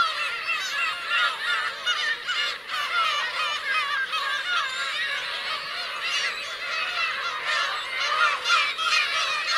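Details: Black-tailed gull parents and chicks on Teuri Island, Hokkaido, 17 June 2021: many overlapping mewing, arched calls forming a continuous colony chorus, with short dips in loudness.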